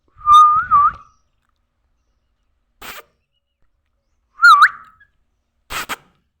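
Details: Pet parrot learning to talk, giving two loud warbling whistled calls about four seconds apart, each with a wavering rise and fall, and soft clicks between them.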